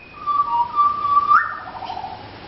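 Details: Pied butcherbird visiting a garden near Mt Gravatt, singing while looking for food: long pure flute-like whistles held steady, then a slight upward slide into a softer warbled phrase.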